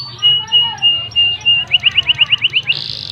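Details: Canary song used to get other canaries singing: a series of level whistled notes repeated about twice a second, then a quick run of rising chips, ending in a harsh buzzy burst.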